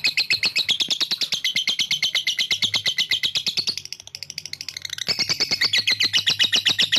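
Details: Lovebird singing a long ngekek trill meant to provoke rival birds: dense rapid chattering trill of sharp high notes, about four per second, running unbroken for nearly four seconds, a brief dip, then resuming strongly.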